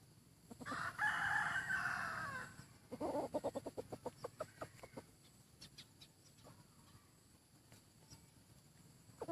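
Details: Decoy rooster gives a hoarse, sustained crow lasting nearly two seconds. A rapid series of short, sharp clucking notes follows, then fainter scattered clicks against a steady low rumble.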